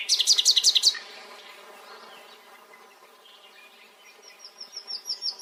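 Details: Nightingale delivering a fast, loud trill of high rasping notes for about a second, then near silence, then a faint run of high whistled notes fading in at the end.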